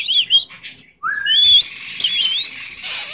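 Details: Pet Goldie's lorikeet giving warbled whistles, then a long rising whistle that flows into a buzzy, drawn-out screech.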